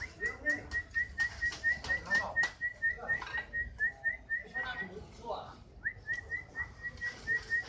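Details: Fighter canary singing; a long string of clear, short whistled notes repeated about four per second, broken by a brief pause and resumed, with muffled room noise behind.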